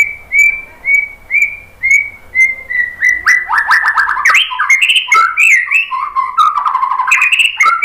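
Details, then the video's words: White-rumped shama song played as a lure: a series of evenly spaced clear whistled notes, then a fast, rich medley of rising, falling and chattering phrases. "KICAUAN MURAI BATU bikin BUNYI NYAUT JADI GACOR BONGKAR ISIAN ¦ PANCINGAN MURAI ¦ SHAMA BIRD"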